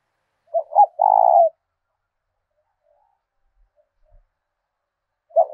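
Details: Spotted dove used as a decoy, calling in the thổ đồng style of southern Vietnam to lure and challenge other doves. One loud phrase, two clipped notes then a sustained rolled coo, then silence and the start of another phrase.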